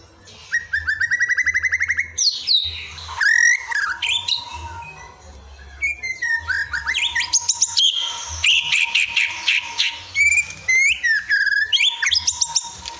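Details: Pet white-rumped shama performing an isian (filler) song: a fast, rattling trill of repeated notes, then varied whistles, sharp slurred phrases and a dense buzzy burst, over a steady low hum.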